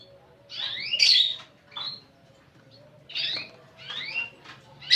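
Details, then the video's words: Canary with a unique song style, here giving separated short phrases: paired sliding chirps and a loud bright note, with brief pauses between bursts and a faint hum below. "Burung Kenari Gacor Cengkok Unik"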